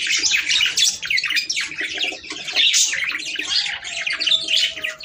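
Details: Budgies warbling as a breeding stimulus: continuous bright chattering of mixed chirps, squawks and trills, with a steady faint whistle-like tone in the background late on.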